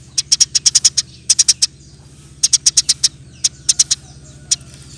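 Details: Eurasian tree sparrow singing in chatty 'nembak' style on a recording made for training birds. Scattered clusters of four to seven sharp chirps are separated by short silences, with a steady low hum underneath.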